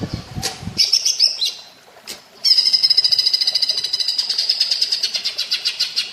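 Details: Cucak ijo, the grey-crowned green bulbul, in a masteran song with a platuk bawang flavour over water therapy: a low rustling start, a short high warbled burst, a pause, then a sustained rapid high pulsing trill.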